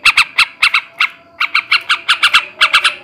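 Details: Male yellow-vented bulbul, ngebrem ngekek garuda style used to stimulate breeding: harsh squawked notes in pairs and triplets, a short pause midway, then quicker chatter.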